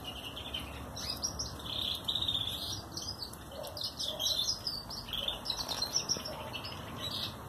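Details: Red mosaic canary chicks during their first feeding at a breeder's, pale yellow and white before moulting; quieter bursts of thin, high, wavering begging chirps over a constant background hum.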